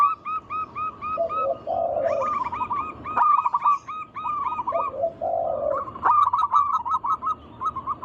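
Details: Lure song of native local zebra doves for stimulating others to sing: rapid repeated cooing notes broken twice by a low, gravelly rolled trill, with sharp clicks and overlapping singers.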